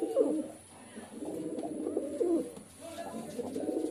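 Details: Brief stretch of soft, throaty pigeon cooing. Low rolling phrases overlap and fade in and out.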